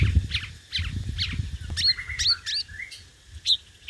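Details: Sunbird known locally as hút mật 5 màu, singing competitively: a jumble of high sliding whistles and short chips, partly masked by a steady low rumble throughout.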